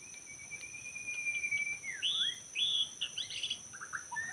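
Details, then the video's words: White-rumped shama in forest, Lombok, recorded while trapping birds: a long thin level whistle, then clear slurred notes and a burst of quick chirps, with steady insect buzzing behind. "Rekaman suara asli murai batu hutan ketika sedang mikat"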